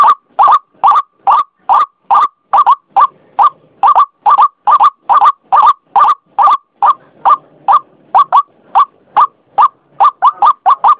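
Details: Repetitive calling of a white-breasted waterhen used for luring. Steady, hoarse single notes beat out about twice per second, later breaking into doublets, with a faint low murmur behind.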